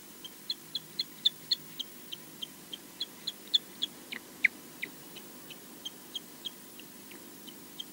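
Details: Osprey guarding its nest at Loch Garten, Scotland, against an unseen intruder, caught on a nest camera: a rapid, steady series of thin, high whistled chirps, roughly four per second, with one louder downslurred note midway.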